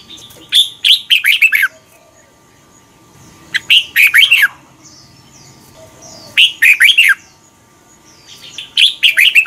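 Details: Red-whiskered bulbul song from Thailand, the slow, clear doubled style played so young birds learn it. Four lively phrases of loud, bouncy, slurred notes, each lasting about a second, spaced by quiet gaps with soft background whistles.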